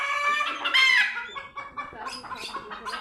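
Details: Chickens screaming loudly and flapping in panic after seeing cats for the first time: harsh, ragged squawks with a loud burst near the first second, then shorter rough calls following in quick succession.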